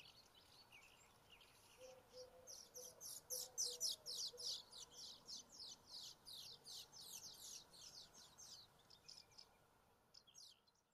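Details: Common house martins at Lippetal, Germany, on 22 May 2016 at 14:20: a run of about twenty quick, dry, high chirps, roughly four a second, rising then fading, over a faint steady background hum.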